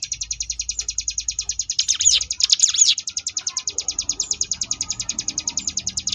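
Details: Sunda bush warbler performing the ngebrem variation, a tutor recording for contest birds: a fast, even, buzzy rattle of roughly three pulses a second throughout, broken by a short burst of swooping whistles.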